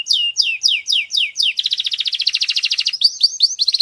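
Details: Forceful canary song to stimulate female canaries for mating: six repeated falling slurred whistles, then a fast rattling trill, ending with quick rising chirps.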